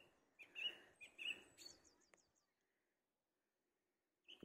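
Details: A song thrush sings from the top of a tree: two loud, clear notes repeated, then a quick run of thin high chirps and a pause before the next phrase begins.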